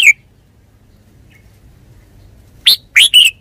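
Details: Red-whiskered bulbul giving one sharp note, a quiet pause, then a quick three-note bright, slurred phrase.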